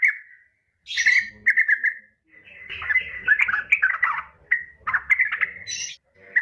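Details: Female yellow-vented bulbul calling for a male: a jumbled, chattering mix of liquid chirps and warbled notes of varying pitch, with brief pauses between bursts.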